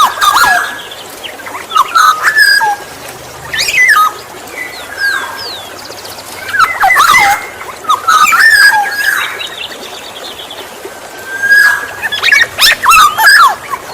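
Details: Black-naped oriole call used to lure other orioles: repeated harsh, nasal squawking notes alternating with short fluty whistles, arriving in irregular bursts a few seconds apart, outdoors with quiet gaps between.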